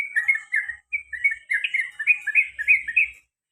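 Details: Sooty-headed bulbul, a pet male, in long ropel song with garuda phrases. A quick, tumbling string of bright, slurred whistles climbs slightly in pitch before ending abruptly.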